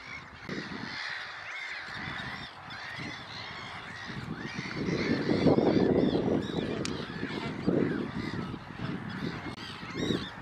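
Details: Glossy ibis giving low, hoarse, rasping grunts in rapid irregular bursts that swell and fade, with higher nasal calls from other birds overlapping throughout.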